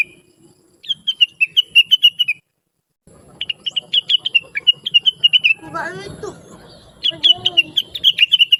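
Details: Blue-winged leafbird chattering in full voice as a master song for other birds: quick rolling phrases of high chirps broken by a silent gap, with a lower, harsher burst in the middle before the chirping resumes.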